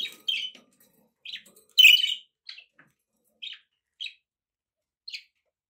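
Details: Household budgerigars giving scattered short chirps, one louder buzzy squeak in the middle, then brief single tweets that grow sparser over several seconds in a quiet room.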